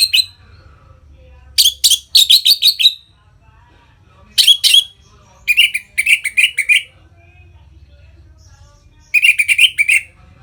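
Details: Ngeplong song of the Orange-headed thrush, played to trigger breeding excitement in birds: several clusters of quick, sharp high notes and short chattering runs, scattered across the recording with brief silences between.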